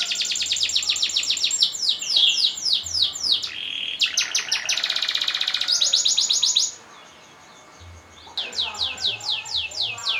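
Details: Canary in long rolling song, used to prompt other birds to sing: rapid high chirp runs, a hard buzzy roll, then near silence for about two seconds before fast sweeping chirps resume.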